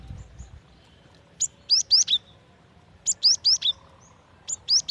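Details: Female cinereous tit calling to the male: three clusters of sharp, high chirps, each a quick run of three or four upslurred notes ending in a lower note, spaced over a quiet background.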